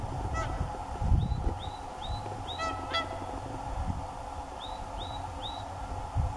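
Whooper swans give loud, bugling honks with bright harmonics in short bursts, plus a run of high rising chirps, over low rumbling background noise.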